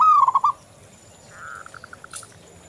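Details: Local zebra dove singing, used as a lure to prompt other doves: a loud, wavering rolled coo, then a soft sustained note dissolving into a fading series of brief, evenly spaced pips.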